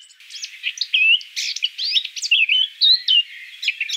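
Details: Eurasian Blackcap song: a fast, varied warble of short twittering notes and brief clear whistled slurs, delivered in quick bursts over about four seconds with no other sounds.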